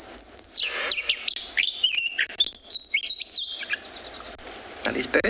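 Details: Sabota lark playback from South Africa, copying other birds more accurately than drongos; a fast sequence of stepped whistled notes jumping between pitches, ending in harsh scratchy bursts.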